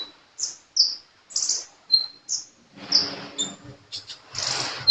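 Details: Energetic sunbird song of separated high, piercing chirps and short whistles, one every half second or so, then a denser twittering burst with a soft low murmur beneath.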